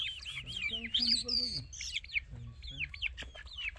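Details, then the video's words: An Irani (Mashadi) Jal bird in full song: a rapid song of bright, arched whistled notes, high and quickly repeated, with a brief lower clucking or voice in the background. "Irani Jal Bird Full Singing"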